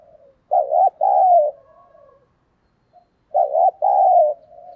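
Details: A spotted dove urged to fight, cooing fast: two deep two-part phrases about three seconds apart, each a quick wobbling hoot and a longer even coo, with faint low crooning in between.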